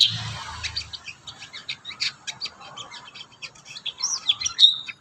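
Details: Kurincang singing energetically as training audio for other birds, a dense chattering stream of quick high chirps and twittering notes ending in a few clearer whistles.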